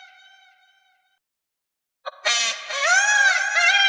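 A faint, steady nasal note fades out. After a short silence a peacock gives a loud, harsh, wailing cry that rises and falls in pitch.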